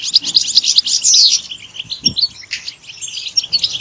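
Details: European goldfinch singing a lively, high twittering song of quick tinkling notes and short buzzy trills, packed closely together with brief pauses, plus a few faint low thumps.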